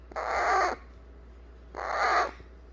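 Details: Eclectus parrot chick begging for a cuddle after its baby-food meal. Two long, harsh, raspy squawks, each around half a second, separated by a one-second pause.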